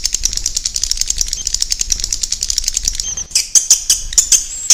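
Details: Swiftlets calling to draw others to roost, a fast stream of sharp high clicks and chirps ending in louder, spaced squeaks, over a low rumbling background.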